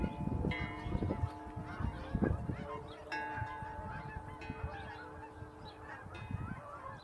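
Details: Hundreds of geese, resting near open water, suddenly frightened into flight: scattered nasal honks from many birds over a dense roar of beating wings and rustling.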